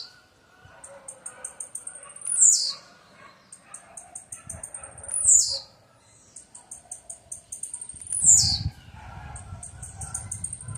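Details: Blue-black grassquit phrases repeated three times: trains of thin high ticks, each ending in a loud buzzy descending note; low rumbling noise rises near the end.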